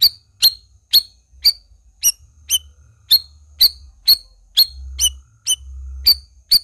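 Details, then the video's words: Black-crested bulbul, a lively 'gacor' singer, giving a steady run of sharp, high chip notes about twice a second, each a quick downward flick with a short bright tail, over a faint low hum. "SUARA CUCAK RAWIS GACOR"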